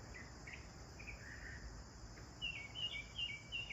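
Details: Sparrows enjoying a bath: scattered soft chirps at first, then a quicker run of sharp, sliding chirps near the end over faint background hiss.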